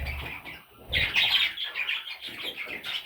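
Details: Baby parrots squawking in rough, rasping bursts that break off briefly, then surge into a louder chattering run of overlapping calls.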